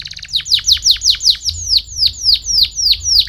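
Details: Canary song meant to stimulate other canaries to sing: a fast series of bright, downward-sweeping notes repeated about twice per second, opening with a short rapid trill, over a faint low hum.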